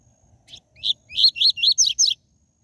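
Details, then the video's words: Captive-bird training song of the coleiro, TUI TUI ZEL ZEL style. Faint lead-in notes, then six loud, clear, high whistles in a fast even series, the last ones sweeping down. "COLEIRO e PAPACAPIM CANTO TUI TUI ZEL ZEL"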